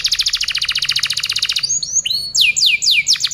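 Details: Canary song recorded as masteran for birds to learn: a fast, even pulsed trill of about fifteen notes per second, followed by curving rising whistles and loud downslurred notes.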